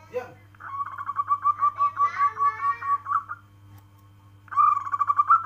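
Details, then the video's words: Local zebra dove (perkutut) calling: a short harsh note, then a fast run of rolling, pulsed coos lasting nearly three seconds, and a second run starting near the end, over a steady low electrical hum. "Suara panggilan perkutut lokal alam kristal"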